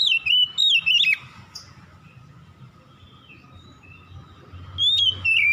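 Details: At dusk, an Oriental magpie-robin gives loud whistled phrases with sliding, wavering notes, then falls silent for several seconds before another whistled phrase; faint low background hum throughout.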